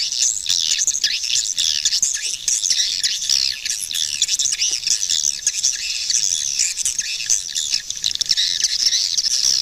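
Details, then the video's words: Swiftlets calling in a dense, continuous chorus of high, buzzy chirps and twitters, many birds overlapping without pause. "Swiftlet bird sound🔊100% | ឡេងសត្វ ត្រចៀកកាំ យំលឺច្បាស់ល្អណាស់🔊100%"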